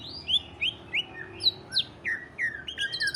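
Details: Greater green leafbird song in the 'ngentrok' style, played to encourage other leafbirds to sing; a series of bright down-slurred whistles about three per second, ending in quicker overlapping chatter.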